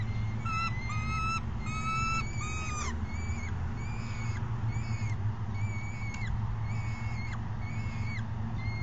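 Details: Female juvenile peregrine falcon screaming for food on May 30, 2016, growing bold after chasing her mother back onto the perch. Loud, harsh, drawn-out screams in quick bursts early on, then spaced wails, over a steady low hum.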